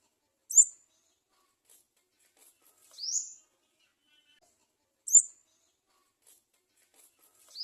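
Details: Nestling Garden sunbird crying for food at the nest, alternating sharp high chips with thin rising squeaks, the pair repeated about every four to five seconds in otherwise quiet surroundings.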